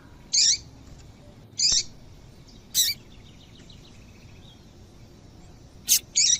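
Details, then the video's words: A female double-collared seedeater calls to prompt male song: five short, high-pitched chips at irregular intervals, with faint, soft twittering notes in the background. "Esse Piado de Fêmea de Papa capim é Seu Papa capim Vai Ficar Cantando RÁPIDO!!!"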